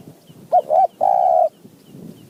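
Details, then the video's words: Wild spotted dove in high mountain forest, answering a decoy with a call style of four-three-two-one and one-two kuk notes: a quick pair of short mellow coos, then one long, level, drawn-out coo. "นกป่าคารม โยน 4 3 2 1 กุก เรียก 1 2 กุก"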